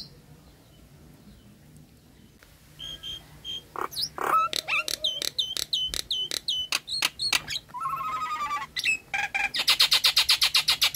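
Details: Nias hill myna lure song for mynas that are silent, stressed or moulting: after a quiet start come high whistles, loud clicking notes with hooked whistles, a wavering warble and a rapid harsh rattle.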